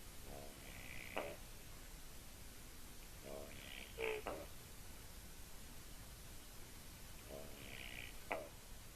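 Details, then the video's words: Common raven near a white-tailed eagle nest in Latvia, 25 Feb 2018, with ravens around the nest, makes very strange noises: a low croaking rattle, then a higher nasal tone ending in a sharp knock, repeated about every 3.5 seconds. "Raven makes very strange noises"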